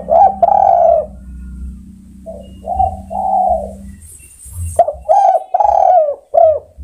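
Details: Spotted dove calling to other birds, repeating low throaty coos: a long coo, a pause, clipped short notes and further drawn-out coos, with a faint hum and a brief hiss in the middle.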